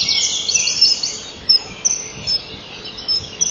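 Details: At a nest-wall camera on 30 May 2012, 05:09, a male common kingfisher hands a fish to the female and lingers as she eats. Shrill high-pitched chatter, then separate short sharp piping notes repeated irregularly.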